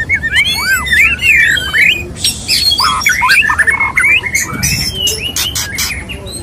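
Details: Male white-rumped shama courting a female: looping whistled slurs, harsh squawking bursts and rapid chattering notes, delivered in an energetic, varied stream.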